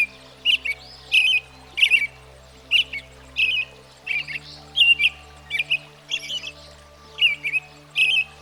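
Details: An American Robin, one of the most common backyard birds in the U.S., sings a steady string of warbled, bubbling phrases, about one every half second. Squeaky high notes are mixed in, over a constant soft low hum.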